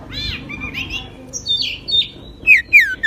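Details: Magpie-robin, called decu or kacer in Indonesian, a small bird in full song while spreading its wings: varied whistled and slurred phrases, some rising, some falling, with short pauses between notes.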